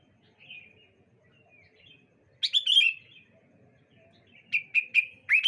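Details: A faint distant phrase opens, then a loud bubbly burst of sliding whistles, then a quick series of four clear chirps, as sooty-headed bulbuls call back and forth on a bright morning.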